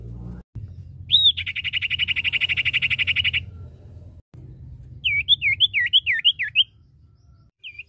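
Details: Male and female common iora in lively song: a rising whistle opens a long, even, buzzy trill lasting over two seconds, then a pause and a run of looping up-and-down whistled notes.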